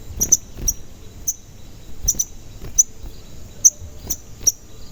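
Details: Piercing high chirps from a sogon, some doubled, spaced roughly every half to one second. The recording is meant to stimulate other sogon to sing and become excited.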